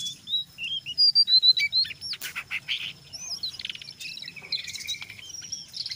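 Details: Brown jongkangan singing in ngeriwik style mixed with ngeplong, used to draw other jongkangan into song: a loud run of clear rising whistles and chirps, then softer scratchy twittering phrases continuing to the end.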